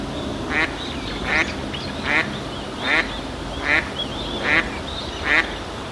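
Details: Eastern spot-billed duck giving its ground call: seven harsh, nasal quacks, one about every 0.8 seconds, over steady background hiss and faint ambient sounds.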